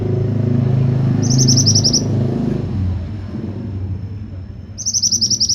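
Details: Pied bushchat delivering bursts of quick, piercing, high notes, two phrases about three and a half seconds apart, as a vehicle rumbles past at the start.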